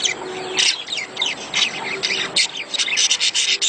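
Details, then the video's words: Budgerigars giving mating calls meant to stimulate a female to lay eggs: raspy, scratchy high chatter in dense bursts, with several birds calling over one another. "خلي انثي البادجي تبيض بسرعه.اصوات التزاوج للتحفيز"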